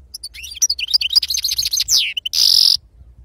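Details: European goldfinch singing in the wild-type style: a quick, high twittering run of tinkling notes and short slurs, ending in a sustained buzzy, scratchy note.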